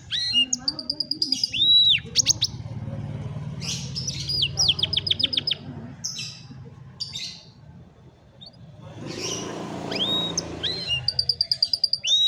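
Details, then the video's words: Canary song used as training for a lazy canary: bright high trills and rapid repeated notes, sweeping whistles and buzzy bursts, with a low hum beneath and a pause midway. "Canción Canaria para Cantar Canario Perezoso Entrenamiento | Canary Singing"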